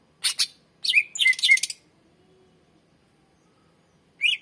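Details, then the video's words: Greater green leafbird in full, energetic song used as a lure for untrained birds: harsh buzzy bursts, then sharp whistled notes sliding down, a long pause, and another rising buzzy note. "SUARA BURUNG CUCAK IJO MASTER GACOR FULL SUARA PANJANG .COCOK PANCINGAN BURUNG BAHAN"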